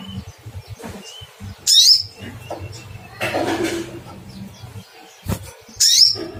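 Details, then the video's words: Sogon (sogok ontong) calling to find a rival: two loud, sharp cuitt notes sweeping down from very high pitch, several seconds apart, with a soft hiss and low background murmur. "Cuitt cuitt panggilan SOGON mencari lawan"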